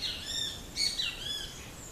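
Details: Fledgling Swallow-tailed hummingbird that has just left the nest, perched on a silk floss tree in a garden, gives high, thin squeaky chirps, several short notes sliding up and down, over faint steady background noise.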